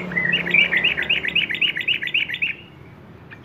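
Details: Sooty-headed bulbul in the fast chattering 'ngeropel' (ropel) style, used as a lure and master recording for training young birds: a quick run of about a dozen bright, repeated chirping notes over two and a half seconds, then fading off.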